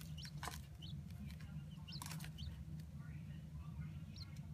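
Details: Pet adult Chinese blue-breasted quail in a sandbox indoors, calling louder and more stridently when disturbed while being filmed: sharp high chirps that rise and then drop, spaced irregularly, over a droning background television with indistinct voices.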